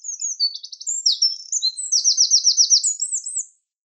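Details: Eurasian wren song: a rapid, loud outpouring of high, sharp notes, with fast trills and buzzy rattles strung together for about three and a half seconds, then silence; clean recording with no background noise.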